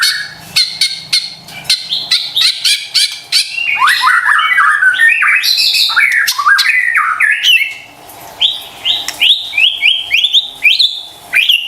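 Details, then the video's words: White-rumped shama lure song for lazy or stressed birds: a run of sharp clicking notes leads into a dense jumble of varied whistled phrases, then a series of clear, evenly spaced whistles near the end. "PANCINGAN murai batu STRES dan MALAS BUNYI seketika LANGSUNG nyaut dan GACOR dengar suara INI"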